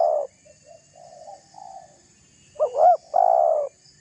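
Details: Spotted dove calling to provoke a rival: a long low coo opens, softer coos follow, then a loud phrase of two quick looped notes and a sustained coo.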